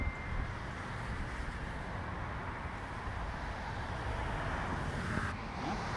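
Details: Steady road traffic and wind rumble with passing vehicles; no animal voice is heard.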